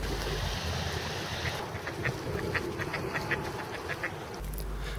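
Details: Pacific black duck (Anas superciliosa) at a suburban lake in Upper Coomera, Gold Coast, Australia, giving a quick run of about ten short, nasal quacks in under three seconds over a low background rumble.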